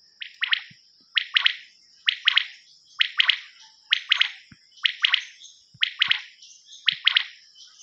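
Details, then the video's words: Common quail from a quail-hunting cassette, repeating a clear three-note call very evenly, about every 0.9 seconds, eight times in succession over a thin steady high whine, with faint low clicks. "نیوبٹیر کی کیسٹ"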